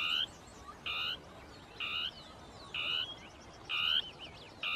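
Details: Dusky tapaculo (Scytalopus fuscus) territorial song, two birds interacting in scrub; loud, evenly repeated nasal churring notes, each a quarter-second burst, about once a second, with faint chirps from another bird between.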